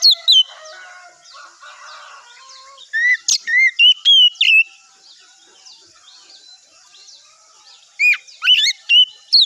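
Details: Morning song of an Oriental magpie-robin used as a lure to provoke other birds into answering: loud ringing whistles with rising and falling slurs, delivered in quick clusters separated by quiet gaps, with faint chattering notes early on.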